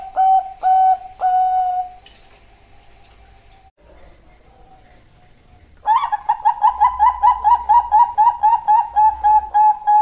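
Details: Female Bangkok zebra dove calling a male, a lure recording: three short coos and a longer held note, a quiet gap, then a fast, rhythmic burst of about sixteen clipped coos with a slight lilt.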